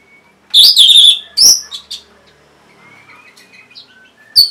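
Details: A lure song of the orange-headed thrush for reluctant caged birds. Two loud bursts of rich, buzzy high warbling, a few short notes, then a quiet gap with faint thin whistles before one final sharp note.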